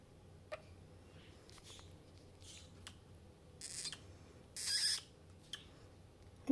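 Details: Pet female European starling mildly annoyed, complaining while being given medicine: two harsh, rasping screeches about a second long, between scattered sharp clicks and soft ticks over a low background hiss.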